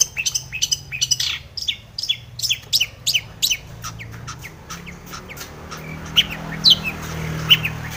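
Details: Long-tailed shrike in breeding condition, a mimicry-rich lure song: a fast burst of high chips and slurred notes that thins into scattered softer whistles, with low background hum growing toward the end.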